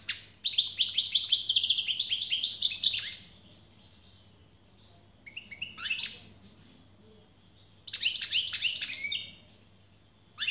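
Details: Long goldfinch song: a sustained stream of rapid, silvery twittering notes for nearly three seconds, a short jangly phrase after a pause, then another dense twittering burst; soft low hum throughout.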